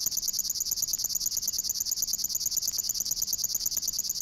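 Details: In water-meadows and coastal pastures at Matsalu, a River Warbler sings a high, dry, insect-like ticking buzz, a rapid steady stream of pulses without pause, like a sewing machine.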